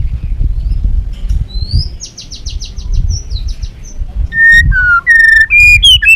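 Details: Trapping lure from a Balak 6 white-rumped shama: a thin rising note and a high buzzy trill, then loud, pure, level whistles alternating in pitch, each about half a second long.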